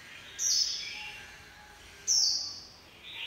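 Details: White-eye in líu pha chòe song style, two brief high-pitched twittering bursts about one and a half seconds apart, each fading into softer lower notes, over faint background hiss.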